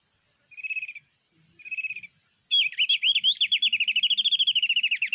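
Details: Mountain white-eye of Sulawesi, lure recording on MP3 for trapping with birdlime: two brief buzzy trills, then a long rapid series of high twisting whistled notes.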